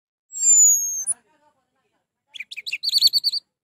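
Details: Orange-headed thrush song used to provoke a bird that is reluctant to sing: a long, high, slightly falling whistle, then a rapid run of chattering, trilled notes that rise and fall in pitch.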